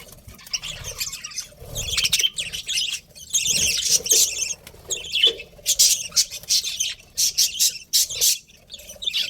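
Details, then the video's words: Budgies chirp in irregular scratchy bursts and clicks, uneven in loudness, with quieter stretches between louder outbursts. "Cute Budgies Chirping Sounds"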